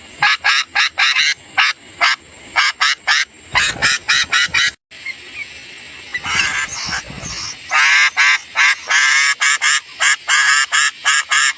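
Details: {'caption': 'Sooty-headed bulbul nestlings being fed by a parent give loud, harsh, rapid begging rasps, several per second. There is a short pause mid-way, then the frantic bursts resume with a steady high whine throughout.'}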